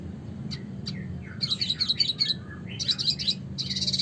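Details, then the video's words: Red siskin (Spinus cucullatus) classic song: bursts of fast, high twittering and buzzy trills, with a few sharp chips before, over a low steady hum. "suara kicauan burung red siskin klasik gacor"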